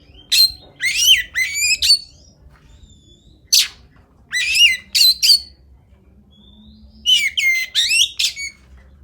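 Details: Kacer (Oriental magpie-robin) singing in the 'kacer fighter' style prized by songbird keepers: loud bursts of harsh, squawky, buzzy notes mixed with sharp rising and falling whistles, delivered in clusters of three or four phrases separated by short pauses.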